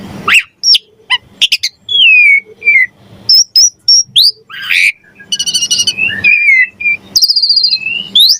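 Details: Javan pied starling singing a lively, varied song for training songbirds: loud whistled slurs, sharp chips and buzzy rattles in quick bursts with short pauses; faint low hum underneath.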